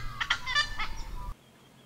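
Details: Noisy Friarbird, subspecies monachus, near water in the Capertee Valley, NSW, Australia, on a warm sunny September day; a harsh, nasal, rich-toned burst of several linked syllables lasting just over a second, then cut off.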